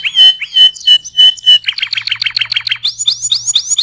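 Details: Canary singing, used as tutor song for other birds: a series of clear whistled notes, each with a bending tail, then a fast rattling trill, ending in repeated rising whistled slurs.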